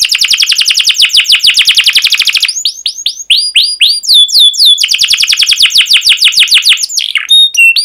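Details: Canary singing to train young birds: a long, very fast buzzy trill, then a string of sharp falling whistles, a second rapid rolling trill, and a few final high chirps, with nothing else heard.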